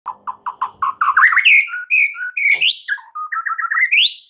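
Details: White-rumped shama song used as a lure to prompt other birds to sing, rich in mimicked filler phrases: a run of short falling whistled notes, then slurred phrases sweeping upward to a high, clear whistle.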